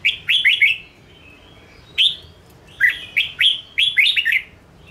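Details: Red-whiskered bulbul training song aimed at provoking caged birds: fast runs of three or four slurred whistles, a single high note, then several more lively warbled bursts with short gaps.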